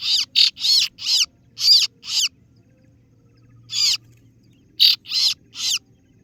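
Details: Kaso-kaso bird (singo barong) lure call to draw rivals: a rapid run of six grating, buzzy notes, a pause, a single note, then three more in quick order.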